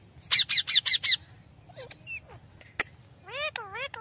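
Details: Wild Indian ringneck parrot at a balcony in India: a burst of five loud, harsh, rapid squawks, followed by scattered thinner notes and a few wavering, rising-and-falling screeches.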